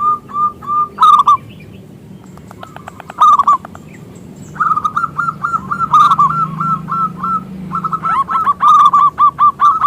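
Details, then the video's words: A local zebra dove with a big voice sings as a lure for other doves: a few short phrases, then a long run of fast, rolling coos with crisp accented notes, growing dense toward the end. "Perkutut Lokal Gacor suara Besar pancingan perkutut"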